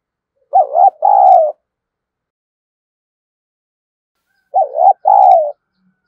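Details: Spotted dove used as a fight-provoking decoy, singing a 'thổ' style coo. Two identical two-part phrases about four seconds apart, each a brief dipping note then a sustained throaty coo, with silence between.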